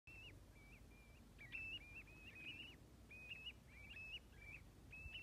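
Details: Common ringed plovers, a flock of 65 calling together at Stornäset, Alnö, Sweden, on 7 October 2021: many soft, rising, fluty two-part whistles overlapping continuously, with a low rumble beneath.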